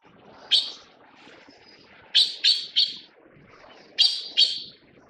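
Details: Taiwan blue magpie, an endemic Taiwanese bird, at the nest while feeding chicks: harsh, rasping broadband notes, one single and then a quick series of three, followed by a pair, over faint rustling background.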